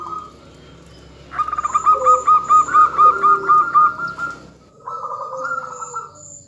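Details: Zebra dove hen calling the male: a loud, fast run of about a dozen evenly spaced, ringing pulsed notes, then a softer wavering phrase with a lower tone beneath it, and thin high chirps in the background.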